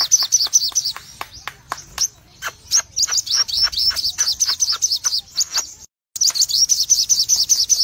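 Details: Crimson sunbird, a cremino colour variant with red eyes, singing energetically in full rapid bursts: high, thin, sharp chirps and twittering notes fired in quick succession, a dense run of trills, then a brief pause before the rapid twittering resumes.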